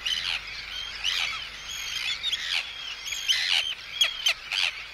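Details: Arctic terns calling in anxiety and threat at an intruder, heard close: a steady run of harsh, high, bending calls with sharp louder notes toward the end.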